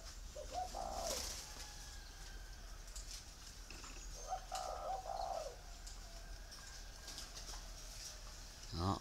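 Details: A captive-bred male spotted dove of Thai stock, nearly pure white, gives two low, hollow cooing phrases a few seconds apart, over faint chirps from other birds and a steady background hiss.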